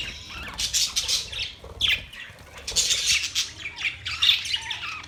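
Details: Pet budgerigars chirping and singing; a busy stream of high, scratchy warbles and squawks in overlapping bursts, with a few sharp downward-sliding notes and faint low rumble beneath.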